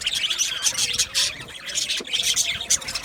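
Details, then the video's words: Budgerigars chattering in an aviary, with bright squeaky chirps and short whistled notes overlapping in quick, loud bursts from several birds. "Budgies chirping sounds"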